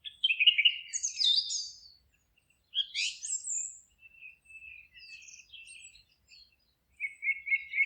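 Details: Singing birds in a forest: a loud warbled phrase, a short buzzy chirp burst, a quieter series of soft repeated notes, then another warbling phrase at the end.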